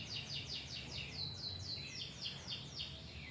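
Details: Canary song used to coax young or quiet canaries into singing: a fairly quiet series of repeated downward-sweeping whistled notes, about four per second, over a low background hum.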